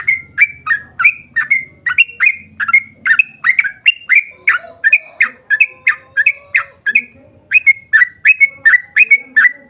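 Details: Sooty-headed bulbul in long rapid song meant to prompt others to sing: dense series of bright slurred chirps, one brief break, then the run resumes, with a low buzzing hum early on.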